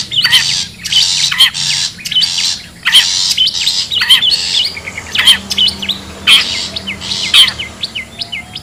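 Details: Wild long-tailed shrike as a bird-luring call: scratchy rasping notes about once a second, broken by steep downslurred squeaks and short chipping notes.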